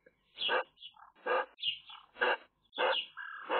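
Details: Eurasian magpie chicks begging in a nest: harsh, broadband rasping calls in repeated bursts roughly every second, with short softer squeaks between them.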